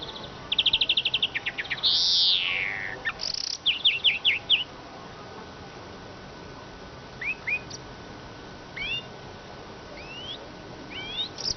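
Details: Siskin song opening with fast high trills and a loud descending wheeze, then a run of chirps, fading into sparse upswept whistled calls.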